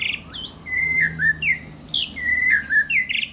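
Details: White-rumped shama song: clear whistled phrases, some sliding down, others rising, with brief higher chirps between them, delivered in short bursts over a low background hum.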